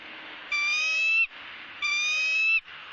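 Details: Female bald eagle begging as the male feeds her pieces of fish at a Southwest Florida nest, eagle cam recording from January 3, 2017: two long, shrill, slightly rising whistled squeals, each nearly a second, with bright harmonics.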